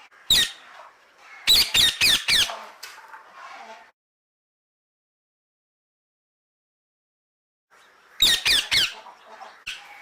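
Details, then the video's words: Loud rasping parrot squawks come in quick runs of three to five, with a long silent gap between the two groups of calls. "parrot 앵무새 소리"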